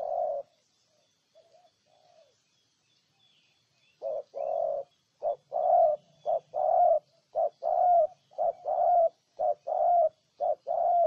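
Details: A spotted dove from Ninh Thuận, Vietnam, starts with a single coo and a few soft murmurs. After a pause, a steady run of alternating short and long coos follows, about one per second.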